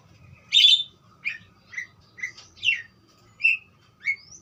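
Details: Budgerigar making one loud harsh chirp followed by a string of softer short whistled and chattering notes, evenly spaced, over faint hum.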